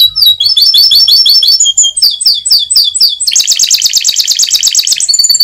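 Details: Caged champion canary noted for loud singing, delivering rapid, loud trilled phrases: bouncing high notes, then a faster, denser buzzy roll near the end, with quick changes between phrase types.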